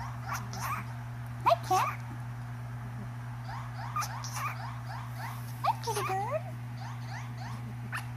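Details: A pet cockatiel singing and chattering in quick rising and falling whistled notes, several per second, with a few sharper squeaky accents over a steady low electrical hum. Cockatiel.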